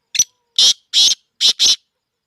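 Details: Black francolin, locally kala teetar, a bird being sold, gives a rasping phrase: a brief sharp opening note, then four coarse, buzzy blasts grouped in pairs, delivered rapidly and loudly with little background noise.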